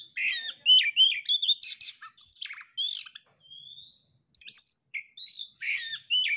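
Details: Oriental magpie-robin singing with its tail spread, a rapid varied run of whistled and chattering notes, a long thin rising whistle in the middle, then more sharp slurred phrases.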